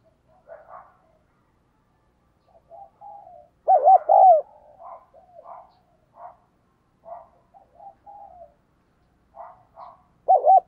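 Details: Spotted dove used as a decoy, pushed to coo fast to draw wild doves: scattered soft coos, then loud bubbling wavering phrases near four and ten seconds, clean and otherwise quiet.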